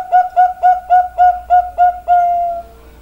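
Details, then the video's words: Bangkok perkutut, a zebra dove, delivering seven quick, punchy coo notes at a steady pace, finishing with one longer sustained note that fades out. "PERKUTUT BANGKOK SUARA MANTAP"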